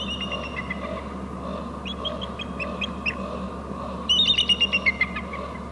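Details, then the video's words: At a Hornby Island eagle nest, one eagle is perched and a second flies to a short left branch. Both call, trading high, thin piping notes that end in a rapid, slightly descending chatter over a steady low hum. "eagle on bst and 2nd eagle in to short left branch, both are calling"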